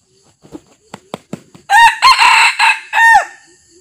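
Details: Red junglefowl crowing during decoy trapping. A territorial resident male is said to approach quietly. Several soft, low clucks come first, then a loud, harsh crow in four rough bursts, ending in a drawn-out, falling final note.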